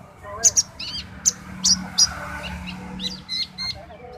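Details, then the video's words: Orange-headed thrush singing in the dacok style: sharp, high chirps and short whistled notes in scattered bursts, with a low background hum and faint talking. "konin dacok enak di bawa santai"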